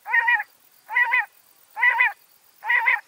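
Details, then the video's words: Backyard bird in Washington State calling loudly with four evenly spaced nasal, honking notes, each about a third of a second long, repeated roughly every 0.9 seconds in a quiet setting. "Backyard Birds (4K) 2 Hour Ambient Nature Film with Real Bird Sounds - Washington State"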